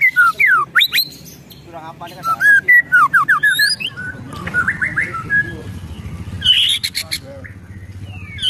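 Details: Agitated white-rumped shama in a ketrekan bout, mixing rapid dry ticks with bright, slurred whistles that sweep up and down, delivered in jerky phrases over about eight seconds, with a low rumbling background throughout.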